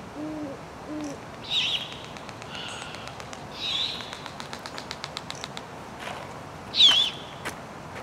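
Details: Great horned owlet siblings at dusk in spring–summer, Strawberry Island, Stow Lake, Golden Gate Park, San Francisco, give harsh, hissing screeches every second or two, after two soft low hoots, with a run of sharp rapid clicks between.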